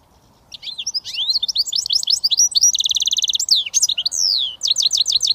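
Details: Goldfinch mule hybrid singing its switty song: energetic twittering with sweeping chirps, a sustained fast buzzy trill, then a long descending slur and a final series of crisp repeated notes.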